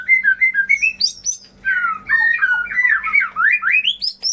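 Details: White-rumped shama song meant to get silent birds singing again: short repeated whistled notes rising stepwise, then a fast cascade of swooping slurred whistles climbing and falling; low hum in the background.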